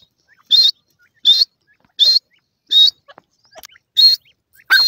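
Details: Partridge chicks squabbling over food, giving a run of six sharp, high-pitched calls roughly every three-quarters of a second, with quieter scattered peeps between them.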